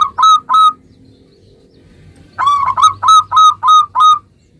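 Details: Energetic local zebra dove song, meant to get other zebra doves answering right away: two loud stuttered coos, a quiet gap of almost two seconds, then a fast run of six bright, evenly paced notes.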